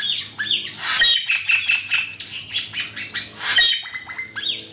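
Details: Continuous rich song of an Asian pied starling on a master recording for training songbirds, mixing harsh rasping notes, rapid chatter and clear whistled slurs rising and falling throughout.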